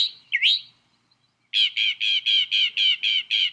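A northern mockingbird imitates a blue jay: one swooping, slurred note, then about nine harsh, even 'jay' notes in quick succession.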